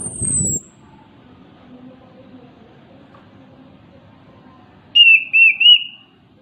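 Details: Orange-headed thrush, locally called anis kembang or punglor kepala merah, singing actively in a melodious way. A short burst of noise comes first, then quiet, then a brief warbled, whistled phrase of three looping notes near the end.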